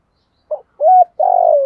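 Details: Decoy spotted dove in 'giọng thổ' voice giving a brief soft note, a clear rising-then-level coo, and a long vibrating coo sliding gently downward. No other sounds.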